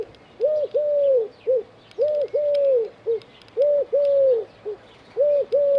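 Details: Eurasian collared dove perched on an antenna in Dzierżoniów, giving its three-part cooing call: two short hollow coos and a longer falling one, repeated about every one and a half seconds; faint chirps of other birds behind.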